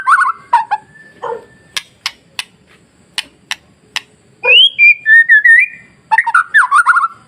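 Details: White-rumped shama singing masteran to provoke rival shamas: low warbled whistles, then a series of sharp isolated clicks, followed by clear rising and level whistled notes and a fast slurred ending.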